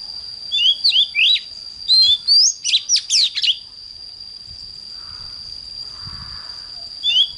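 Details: An oriental magpie-robin's morning song: a rapid series of clear whistled slurs and twittering notes for about three seconds, then a pause before one more phrase begins; a steady high tone hums beneath.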